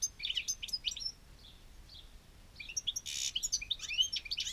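European goldfinch singing a fast, tinkling twitter of high, liquid notes, broken by a brief pause and one harsh buzzy burst before the chatter resumes.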